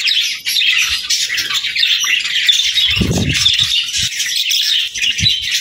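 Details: Budgerigar flock in song, a continuous rush of squeaky warbling and chirps, interrupted halfway by a loud low rattling bump and a few lighter taps.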